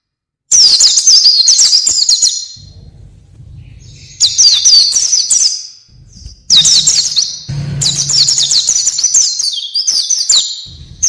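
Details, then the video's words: Oriental white-eye in energetic 'gacor' singing, an 'isian' filler song: high, rapid twittering phrases of quick up-and-down notes in dense bursts, broken by short pauses, with a low hum in the gaps. "isian burung pleci gacor"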